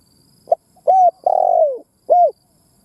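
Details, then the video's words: Decoy spotted dove calling: a brief sharp note, then an arched coo, a long coo gliding down in pitch, and a final rounded coo, hollow and low over quiet background. "Tiếng Chim Cu Mồi Đất Thúc gù gáy"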